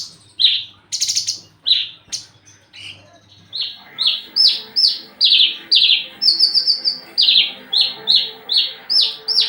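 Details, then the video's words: Courting Javan bush lark in breeding condition, aggressive and seeking a mate. Mixed buzzy notes give way to a fast string of short, high, downslurred chirps repeated more than twice a second, ending with a brief trill. "branjangan lagi over birahi minta kawin"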